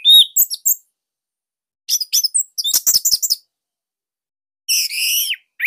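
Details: Bali orange-headed thrush song used as training material for young or silent birds; loud, dense high twittering phrases, sharp chips and a rising whistled note, broken by brief silences.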